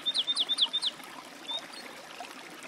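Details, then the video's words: Woodlark: four loud, slurred whistled notes dropping in pitch, evenly spaced, followed by a quiet stretch with one faint whistle. "Голоса птиц. Жаворонок лесной (Lullula arborea)"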